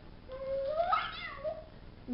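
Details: Pet male African grey parrot, almost nine months old, indoors, experimenting with his voice: a smooth rising whistle climbing into a brief warbled, slurred tonal note, then a softer falling whistle, in a quiet room.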